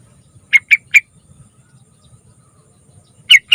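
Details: Lure recording of a trucukan, the yellow-vented bulbul, meant to draw song from young birds: three rich, bubbly notes in quick succession, a pause, then two more clear notes.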